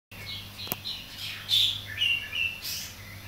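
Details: Young caged greater green leafbird learning to sing, tutored by Asian pied starling, bearded bulbul and green-winged bulbul songs; bright whistled notes and short chirps with a steady low hum behind.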